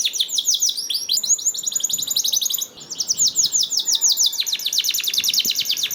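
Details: Canary song intended to prompt other canaries into song: a long, dense, rapid series of high chirped notes with a short break midway, continuous and bubbly.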